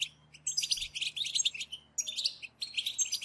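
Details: European goldfinches chirping together in a group chorus used to stimulate goldfinches to sing: dense, high, tinkling twitters and buzzy trills in rapid bursts, with brief pauses near the middle and shortly before the end.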